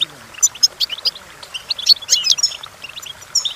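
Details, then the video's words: Goldfinch song for training birds to sing: sparse high chips and tinkling notes building into a quick twittering run with a brief buzzy trill. "Golden Tunes The Entrancing Song of Goldfinches Birds"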